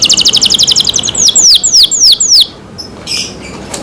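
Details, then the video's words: Canary kept in care: a fast pulsed high trill, then five loud downward-slurred whistles, followed by a quieter pause with faint chirps. "canary Nice sound"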